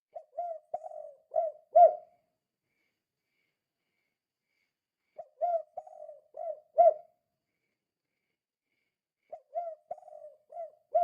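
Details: Spotted dove calling vigorously in 'kuk 2' style to lure other doves into calling: three repeated phrases of five low mellow coos, one roughly every four to five seconds, each ending in a louder rounded coo, with silence between.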